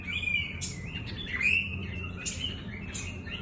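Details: Pekin robin singing: clear whistled notes, some sliding and rising, broken by short sharp clicks and chips, over a steady low hum.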